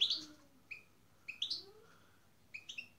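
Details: European goldfinch kept for breeding and being paired with a canary; bright, high chirps in three short clusters, the first loudest, spaced roughly a second apart with quiet gaps between.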